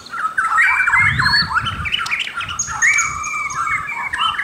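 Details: A white-crowned shama sings varied warbled phrases mixing rapid notes with longer sliding whistles, some rising high, over faint low background noise.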